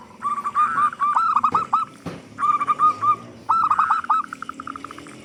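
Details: Singing to coax other doves into song, a local zebra dove with a big voice gives three fast bursts of clipped, whistled coo notes, separated by brief gaps and a sharp click.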